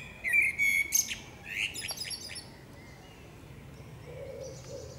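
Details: Short burst of female common blackbird song in woodland: a couple of fluty notes and a high twittering flourish in the first two seconds, then quiet with a faint low cooing from another bird.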